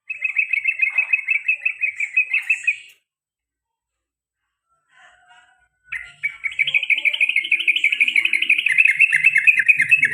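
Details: Male pet sooty-headed bulbul in a long rolling 'ropel panjang' and 'garuda' style song: a fast, buzzy stream of repeated chattering notes, about three seconds, a pause, then a longer, steadily louder run of rapid notes.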